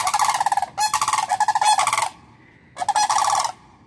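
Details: Sandhill cranes bouncing and dancing by a house give loud, rolling, trumpet-like rattles in three bursts, the middle one longest, with brief quiet gaps between.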